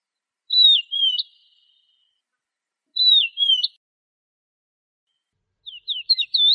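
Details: Lark sound made of a clear, fluty, wavering whistled phrase repeated about every two and a half seconds, then a quicker string of short rising whistles.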